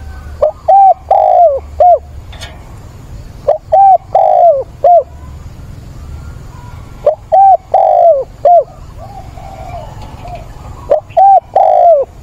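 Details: Decoy spotted dove with a mature voice cooing to call for a mate, recorded 17 September. Four loud cooing phrases, each of three or four mellow notes with one drawn-out middle coo, repeated every three to four seconds.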